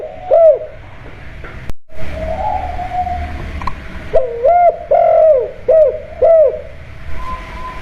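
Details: Caged spotted dove at home giving a lure call of the 'kuk' style to set other birds calling: after a sharp click and some murmuring background, a run of short, hollow, rounded coos comes in quick succession, one note noticeably longer.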